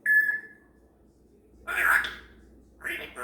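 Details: A female pet grey parrot indoors in the morning, chattering and practicing sounds: a clear whistled note opens, followed by two bursts of raspy, broadband chatter after a short pause.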